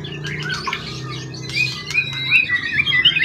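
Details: Wild-caught competition songbird, tail over 20 cm, long kept in care, in top form and not skittish; rapid varied whistled and chattering phrases, rising into clear high notes near the end, over a steady low hum.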